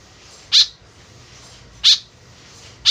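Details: A white-breasted woodswallow, calling energetically, its sound used to lure birds closer: three brief rasping notes spaced roughly 1.3 seconds apart, with faint steady hiss between them.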